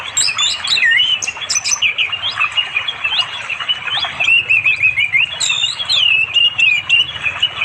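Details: Orange-headed thrush calling a female to mate on an afternoon by a flowing river deep in forest in East Java, recorded on Android; loud, varied warbled phrases, whistled and slurred, run almost without pause amid a busy chorus of other birds.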